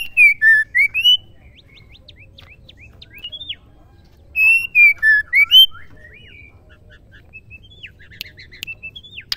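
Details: Caged female white-rumped shama's song, used to provoke males to sing and show fight: two bursts of five loud whistled notes, each followed by soft quick chips and twitters, with faint clicks between phrases.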